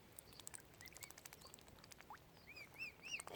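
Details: Tiny mute swan cygnets, Oxford Island Nature Reserve on Lough Neagh, Ireland: sparse soft peeps, then a closer burst of loud rising-falling whistled cheeps near the end, with faint clicks and rustling.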